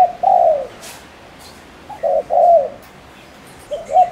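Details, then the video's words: Ninh Thuận lure spotted dove in Vietnam cooing rapidly to challenge males: a long falling note, then a full phrase of two short hoots and a drawn, mellow coo, another beginning at the end. "Cu gáy mồi cây Ninh Thuận THÚC GÙ TỐC ĐỘ kích trống căng lửa cực nhanh"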